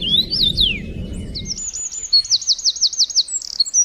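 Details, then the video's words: Morning chirping from birds: looping whistled notes give way to a fast run of bright rising-falling chirps, with low noise early on. "Morning bird 🐦 🐦‍⬛ chirping"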